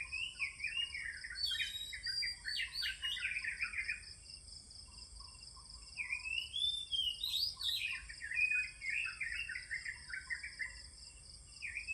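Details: Oriental magpie-robin in morning song: two long, varied phrases of fluty whistles, trills and downward slurs separated by a short pause. Steady high insect whining runs beneath.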